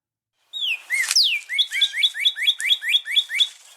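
A Northern Cardinal sings loud, clear whistles: a few slurred notes, then a quick run of about nine bright, rising chirps. Nothing else is heard.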